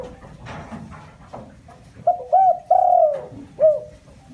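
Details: Spotted dove lure call meant to excite wild doves: a phrase of two short hoots, a long descending coo and a final clipped note, preceded by faint scattered knocks.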